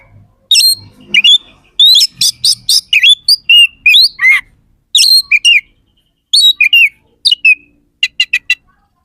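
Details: A very active oriental magpie-robin delivers varied, loud song phrases: ringing repeated notes, downslurred whistles and sharp trills in bursts separated by short pauses, finishing with four quick sharp clicks.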